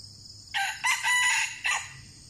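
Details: Red junglefowl crowing during decoy trapping; two wild birds were lured and caught, fighting fiercely. A single harsh crow in four parts: a sharp opening burst, a short second note, a longer drawn middle phrase, a brief clipped ending, over faint insect hum.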